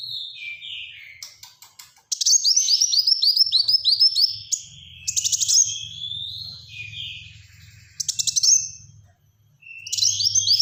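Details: Energetic Black-throated sunbird song of rapid, tightly packed high chirps and downslurred whistles repeated in quick series, with brief pauses between bursts and a faint low hum beneath.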